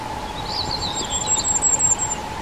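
Common firecrest giving very high, thin, sibilant call notes in a brief run, over a steady low mechanical hum.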